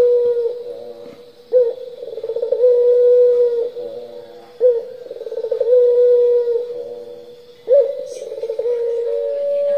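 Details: Lure recording of a turtle dove singing continuously in the 'pelung' style: three low coos, each roughly three seconds apart. Every coo starts with a clipped note, then a rapid throbbing run, then a sustained level tone. A thin steady high whine runs underneath.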